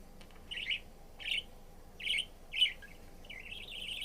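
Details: A pet budgerigar gives short, scratchy chirps in quick bursts, then a longer warbling twitter; recorded 11 March 2022.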